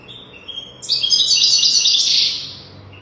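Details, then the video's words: European goldfinch song meant to train young goldfinches: one continuous, fast, bright twittering trill rich in buzzy high notes, lasting about a second and a half. "تغريد رهيب طائر الحسون حفاضة لتعليم طيور الحسون بدون أخطاء"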